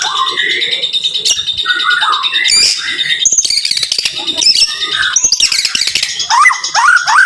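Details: Training song of a white-rumped shama (murai) in rapid 'tembakan rapat' bursts: sharp high chips, sudden squeaky sweeps and short rising and falling whistles crowding over one another, ending in quick downslurred notes.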